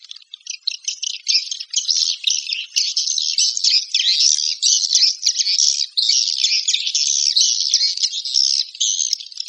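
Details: Swiftlets calling: continuous high twittering with clustered, buzzy chirps that rise and fall in short bursts, loud and close, with nothing else audible.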